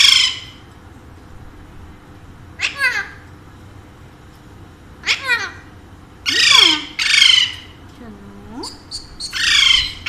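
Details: Pet Alexandrine parakeet, one of a household pair said to speak Urdu and Hindi, giving scattered harsh screeches and short rasping calls with long quiet gaps between them, while a person repeatedly greets and coaxes it.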